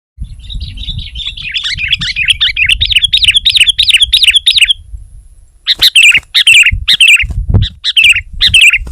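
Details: Sooty-headed bulbul singing vigorously to press a rival, stirring other bulbuls to join in: a fast, even run of bright, harmonic chirps for about four seconds, a short pause, then louder, scattered sharp notes with low rumbling beneath.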